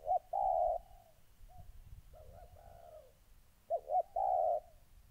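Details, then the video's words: Caged decoy spotted dove, moulting, confronting wild rival doves in Gia Lai, Vietnam, on 14 August 2020: clear, low, hollow coos in short bursts, with a long steady note ending each phrase, separated by quieter gaps. "Cu gáy"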